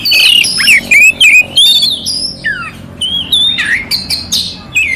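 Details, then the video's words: Oriental magpie-robin with a clear voice and rough fill notes, used as tutor song to fire up a sluggish magpie-robin: loud whistled phrases sliding up and down, interrupted by short harsh squawks and brief pauses. "Suara Kacer Jernih isian kasar Cocok untuk masteran untuk menaikkan emosi kacer dingin"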